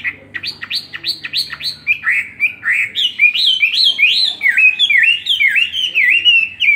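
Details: Caged Chinese hwamei, two years in the cage, giving its fighting song in a spread display: loud, clear whistled notes, first a fast run of steeply falling slurs, then wavering, rising-and-falling phrases repeated without pause; faint low hum beneath.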